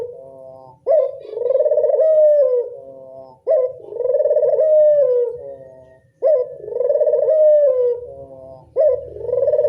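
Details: Local Barbary dove calling as a lure to attract other doves: a sharp opening note followed by a long, rolling, purring coo, repeated about every two and a half seconds, four times, over a faint low background hum.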